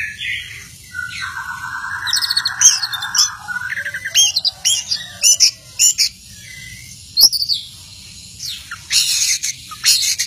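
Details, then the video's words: Orange-headed thrush singing: a long wavering warbled phrase opens, followed by rapid bursts of sharp high chirps and clear whistled notes in an irregular, varied sequence. "Anis merah teler tak kenal tempat"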